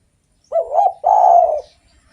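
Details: Spotted dove in active song, good for luring other doves: a wobbling opening coo runs into a sustained soft coo that fades out, in an otherwise quiet setting.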